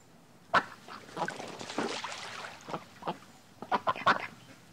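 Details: Duck quacking: harsh, nasal quacks scattered irregularly, some single and some in quick bursts of two or three, with quieter raspy calls between them.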